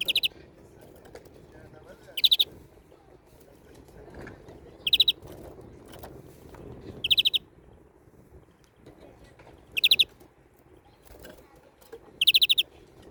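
A European greenfinch gives short, bright chirping bursts, repeated roughly every two to three seconds over a low indoor hum.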